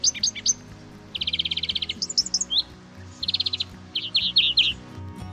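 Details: European greenfinch in Poland sings in bright bursts of rapid, even trills and twittering notes, mixed with short chirps, over soft background music.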